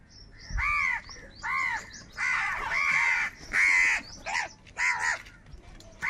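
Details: Angry crows squabbling over food give loud, hoarse caws in separate bursts about once a second, each call a rasping downward-arched squawk, with short quiet gaps between them.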